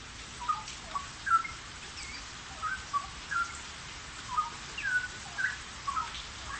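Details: Caged straw-headed bulbul in active song, with clear, liquid whistled notes in short bursts spaced about half a second to a second apart, some slurred upward, against a soft constant background hiss.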